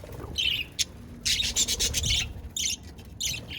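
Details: Budgies recorded on 22 January 2024, giving bright, scratchy chirps and short squawky bursts in quick clusters, high-pitched and broken by brief pauses, over a low background rumble.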